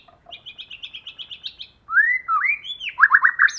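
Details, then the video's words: White-rumped shama kept as a decoy bird, singing in the forest style: a quick run of high chipping notes, then loud slurred whistles and a fast falling trill. "Choè lửa hót giọng rừng"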